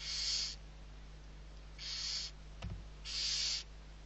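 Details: Barn owl young, six owlets being fed, Riet Vell reserve on the Ebro delta in Spain, 21-11-23; three long, breathy hisses with even gaps between them, plus a single faint knock.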